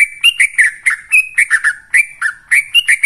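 Yellow-vented bulbul pouring out a fast run of bubbly, chirping notes, several per second with slight rises and falls, plus a faint sibilant hiss above.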